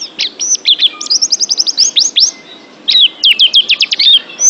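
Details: Oriental white-eye song for training pet birds: crisp, high, downslurred whistled chirps in fast, even series, broken by a short pause, then another quick run of sharp notes.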